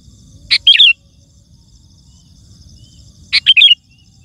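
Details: Kutilang, the sooty-headed bulbul, giving its song meant to call wild birds: two brief phrases roughly three seconds apart, each a sharp opening chip followed by quick liquid whistled notes.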